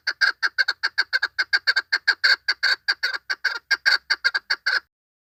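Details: Female chukar partridge calling, the sound used to lure birds for hunting: a fast run of clucking chuk notes, about two and a half per second, steady and loud throughout, with no other sounds.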